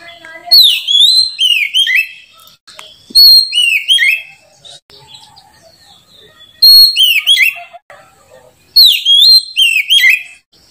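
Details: White-rumped shama (kacer), a caged bird said to sing loudly, clearly and without pause, delivering four bursts of clear whistled phrases, each a high note dropping into looping slurred whistles with rapid high chips, separated by brief quiet gaps.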